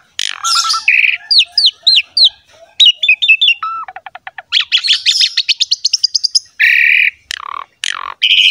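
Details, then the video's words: Asian pied starling master song to get silent captive birds singing: curving whistled slurs, chattering runs, a rapid rattle of clicks and loud grating buzzes in a varied stream. "CARA MENGATASI BURUNG JALAK MALAS BUNYI ~ MASTERAN BURUNG JALAK SUREN"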